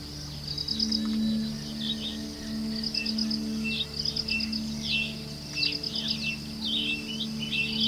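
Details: Ashy-crowned sparrow-lark calling with quick, high twittering chirps, mostly short and rising, scattered throughout, with buzzing insect pulses and a low hum behind.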